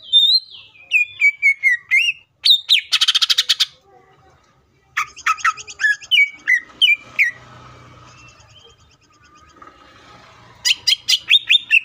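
Greater green leafbird in varied, energetic song: falling whistled notes, rapid buzzy rattles and sharp chirps in bursts, with a brief pause midway.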